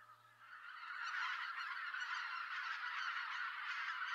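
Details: Large flock of Greater white-fronted geese (Anser albifrons) calling while flying in to roost in November in Japan, a dense, continuous chorus of high, yelping honks that swells in the first second and holds steady.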